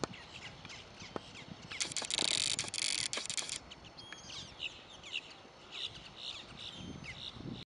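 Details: A family of Common Moorhens at Lake Parker, Florida: the growing chicks give thin, high, scattered peeps at an uneven pace, broken early on by a brief loud rushing noise.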